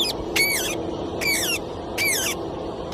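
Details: Talking pet parrot giving three loud, squealing, harmonic phrases, each sliding downward, spaced under a second apart, over a steady indoor hum.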